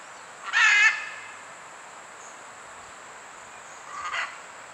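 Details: Costa Rican great green macaw signalling its arrival at Pierella Ecological Garden: one strong, harsh, braying squawk, then after about three seconds a shorter, weaker raspy call.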